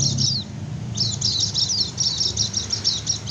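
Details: White-eye lure song for attracting wild birds and making quiet ones respond: a couple of slurred high whistles, a short gap, then a sustained run of quick chirping trills, with noticeable low rumbling noise underneath.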